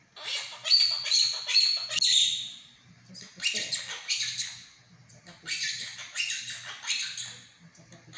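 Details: Indoor pet monk parakeet imitating Mandarin words like 'eat it all' and 'chubby': three strings of scratchy, high syllables delivered in rapid bursts, separated by brief gaps.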